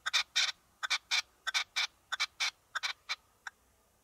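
A red-legged partridge gives harsh, rasping chuffing notes in quick clusters of two or three, the phrases repeating about every half second against a quiet background.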